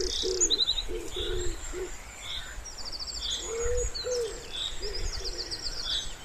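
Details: Wood pigeon beside a quiet pond gives low, muffled coos in short bursts, first a run of four, then a pair after a pause, with thin trilling songbirds and chirps overhead.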